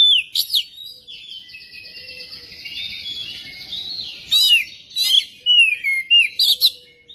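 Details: Magpie-robin song meant to spur a bird into singing, starting with a sharp note over a steady high buzzing background, then clear downward-gliding whistles and chirps repeated rapidly.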